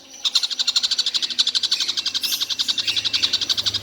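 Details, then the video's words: A quick, regular train of sharp metallic notes, about four per second, from a collared kingfisher that is said to call all day long, with a faint low hum underneath. "Tengkek buto seharian bunyi tidak berhenti"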